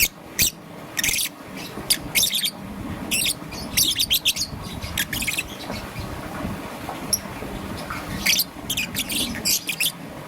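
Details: Young peach-faced lovebird, green and yellow, in the morning giving clusters of short, high, dry chirps, some in quick series, with longer quiet stretches between.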